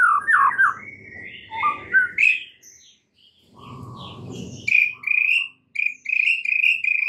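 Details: White-rumped shama lure song meant to stir a stressed shama into loud singing: varied whistles and warbles, two bursts of low rustling noise, then a run of bright, evenly repeated chirps.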